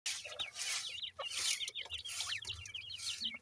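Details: New-season grey partridge chicks tended by their parents, giving a dense chorus of high, thin, downslurred peeps, many overlapping and repeated rapidly throughout, with faint low background rumble.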